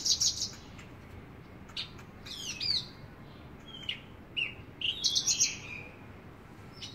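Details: Javan bush lark singing actively, giving scattered high chirps, sharp downward-sweeping whistles and short trilled bursts, separated by pauses of about a second, against quiet steady background noise.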